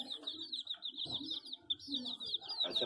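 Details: Chicks give a thick stream of shrill, quick chirps, rising and falling in rapid succession, with faint low sounds underneath.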